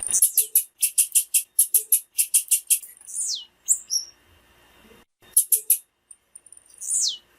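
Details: Female blue-black grassquit calling to stir up males and prompt them to sing: fast series of very high, sharp buzzy chirps in quick clusters, then thin descending whistles and a few isolated high notes.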